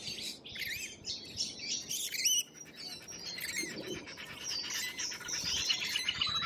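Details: Lorikeets, Australian wildlife: busy overlapping shrill twitters and squeaky chirps from several birds, with one louder burst near two seconds, then continued dense chatter.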